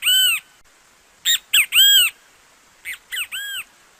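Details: Brazilian great kiskadee singing: a long opening note, then two three-syllable phrases of loud, ringing, arched notes, each ending in a longer slurred note, with quiet pauses between.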